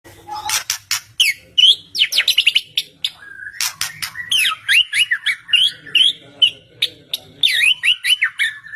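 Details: White-rumped shama song used as a lure to get a silent shama to answer: a rapid, varied run of loud whistled slurs and sharp clicking notes, with rising and falling phrases packed close together.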